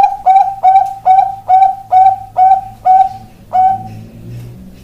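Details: Bangkok-type zebra dove wearing ring 495 singing: series of eight clear, hollow coos, each rising briefly then holding a steady tone, repeated roughly every half second before fading.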